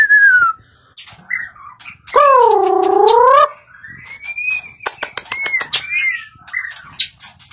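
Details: A white-rumped shama (Copsychus malabaricus) in competitive song sings varied phrases: clear falling and rising whistles, a loud harsh nasal note over a second long, then sharp clicks and sweet slurred whistles.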